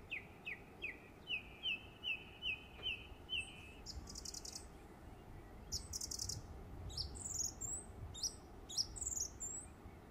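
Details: Song thrush summer song from West Cornwall, England: one short whistled note repeated about eight times in steady rhythm, then sharper, higher repeated phrases and brief scratchy notes, with gentle background hiss.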